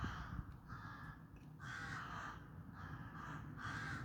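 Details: Repeated rough, drawn-out caws from crows, about five calls in quick succession with short gaps, against steady low background noise.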